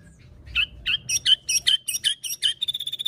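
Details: Captive white-rumped shama (Copsychus malabaricus), fighter-style song used to provoke other shamas: a fast run of rich, bright whistled notes, about three a second, ending in a quick high trill.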